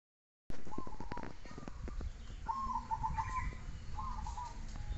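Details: Zebra dove song, short bubbling phrases of stuttered high coos with one clear run of rapid notes in the middle, over low rumbling noise and clicks.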